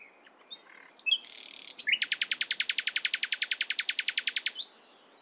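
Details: Nightingale song in the morning: a few scratchy and buzzy notes, then a long, very fast machine-gun series of about twenty-five identical loud clicking notes lasting nearly three seconds.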